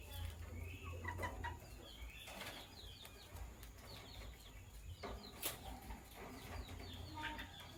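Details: Lovebirds, sky blue opaline and green opaline, chirping in the morning: bursts of short, high, sharp chirps scattered through the clip over low rumbling background noise, with a few clicks and knocks.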